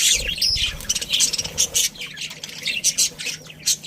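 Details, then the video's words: Pet budgerigar colony, including a breeding pair, with rapid high chirps and squawks in quick bursts, over a brief low rumble at the start. "Cute Budgies Chirping Sounds"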